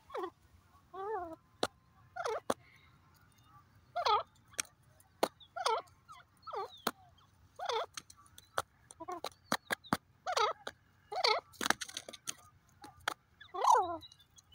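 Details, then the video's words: Grey francolin, called teetar, repeating a ringing, wavering call of harmonic notes about once a second, with several gaps. Sharp clicks are scattered through the sequence against a quiet background. "the sounds of the pheasant bird awaz irani teeter awaaz"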